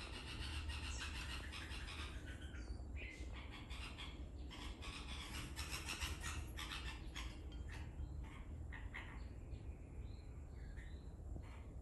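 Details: Baby red-vented bulbul: a quick run of short, harsh, broadband chirps and squeaks in the first seconds, then thinner rising and falling peeps, over a steady low rumble of background noise.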